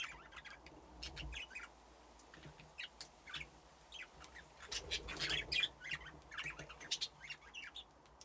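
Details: Several budgerigars playing in an aviary with nesting boxes: continuous quick, scratchy chirps and chatter, rising to a denser burst of twittering midway, with brief wing rustles.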